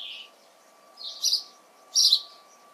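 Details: House sparrow recorded in June, giving a few scattered sharp chirps with short pauses between them over a faint steady hum.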